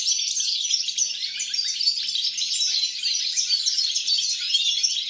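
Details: Goldfinch singing, 29 December 2022: bright, jangling, high-pitched chatter that runs on without a break, mixing quick chirps with short buzzy trills.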